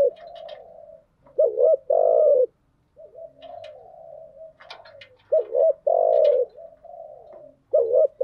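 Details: Spotted dove, a hen used as a lure to excite a decoy bird, calling in thúc gù and gáy gọi styles. Quiet wavering coos lead into loud, deep paired coos that recur three times, with light tapping sounds.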